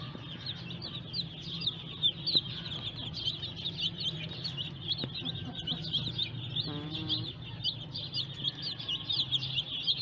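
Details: A brood of newly hatched chicks peeps incessantly, a busy layer of high, piercing notes from many birds, with a brief rattling sound midway and a low hum underneath.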